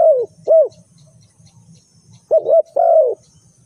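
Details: A spotted dove used as a trapping lure gives soft, rounded coos in pairs, with a long falling coo ending the second phrase, over a faint low rumble.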